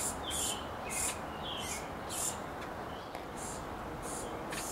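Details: Hooded Oriole in summer, an adult foraging in a sycamore near its palm-tree nest and feeding a noisy youngster; short high chattering bursts repeat about twice a second over a steady hiss.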